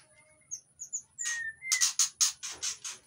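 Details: Aviary white-rumped shama in Indonesia, in breeding condition and luring other shamas, gives a few thin whistles and a long sliding note, then a fast series of harsh, rasping, scratchy bursts, with a constant high whine behind.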